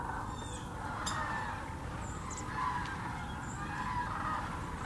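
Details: Sandhill cranes massed in the thousands at Hiwassee Wildlife Refuge, Birchwood, Tennessee: a thick, continuous chorus of trumpeting, rattling calls with a few stronger notes every second or two, plus faint high chirps and a sharp tick.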